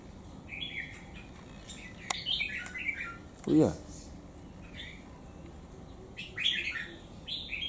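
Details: Wild-caught bird, three months in a cage and with one white claw, singing its full song to overpower a strong rival; short warbled phrases with gaps between them, a sharp click, and a brief low thump midway in a small room.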